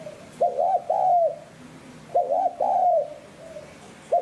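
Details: Spotted dove in the 'hạp bổi' voice for stimulating decoys. Repeated mellow phrases of two short notes and a longer falling coo, nearly two per four seconds, ending as another phrase begins.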